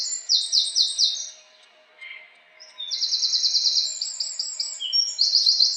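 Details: House wren song: very high, rapid trills of clipped repeated notes, a short bubbly phrase, a pause, then a long evenly pulsed chattering trill ending in another fast run.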